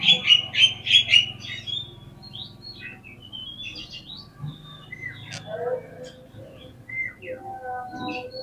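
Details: Oriental magpie-robin lure song meant to make birds answer quickly and spread their tails: a loud burst of rapid, repeated high chirps opens, followed by fainter scattered whistles and twitters over a low steady hum.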